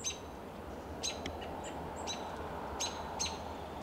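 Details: An American Robin perched on a lichen-covered Coast Live Oak at dusk in Del Monte Forest, California, in March 2024 gives brief, thin, high contact chips and short sharp notes at irregular intervals, over a steady background hiss.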